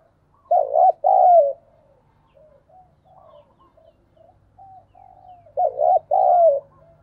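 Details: Spotted dove used as a decoy, calling with a thúc bổi phrase: a throaty double coo and a long falling note. Soft quiet coos follow before the full phrase repeats about five seconds later. A low hum sits in the background.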